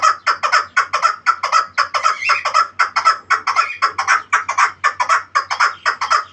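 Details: Chukar partridge, known locally as the Pamir kabk: loud, harsh chuckling notes in a steady rapid series, about two per second, each a broad burst with a raspy upper edge, continuing throughout with no other clear sounds.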